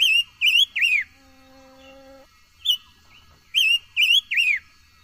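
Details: Caged silver-eared mesia singing to train its voice: two phrases of three loud looping whistles each, a single whistle between them, and a faint low tone in the pause.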